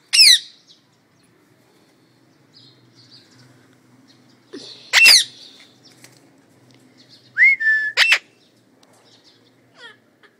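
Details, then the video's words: Household parrots give scattered harsh squawks several seconds apart, one a brief rising whistle-like note ahead of a final rasping burst, with quiet room noise between. "Talking parrots"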